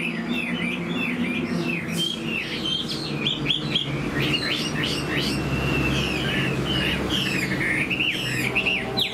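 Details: Fan-tailed caged Chinese Hwamei in fresh plumage, singing with laughingthrush-like tail flicks: a fast chain of sharp whistled and chirping notes over a steady low hum and background rumble.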